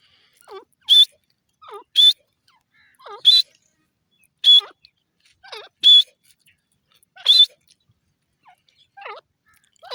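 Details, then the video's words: Grey francolin, the dasi teetar, in a repeated calling sequence: seven loud, shrill, strident notes at roughly 1.3-second intervals, each introduced by a softer wavering lower note. "dasi Teetar awaz,grey francolin bird sound"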